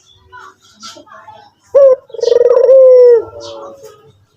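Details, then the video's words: White turtle dove (puter putih) gives one coo, a brief sharp opening note then a drawn-out, vibrating, downward-sliding purr, after a moment of soft voices and faint twittering. "burung puter putih gacor"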